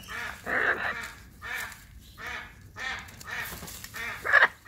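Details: Two hyacinth macaws playing give harsh, honking squawks, about five short bursts in under five seconds, the loudest and grating near the end.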